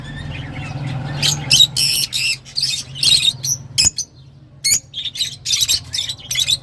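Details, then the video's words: Lovebird calls in quick, harsh, high chirping bursts repeated about every half second, a brief pause near four seconds, then more shrill squawks over a faint low hum. "تغريدروز/صوت روز /Love Bird Sound"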